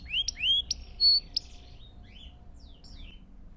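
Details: Canary song for training young birds: a short phrase of loud rising and falling whistles with a steady pure tone, fading into faint scattered notes.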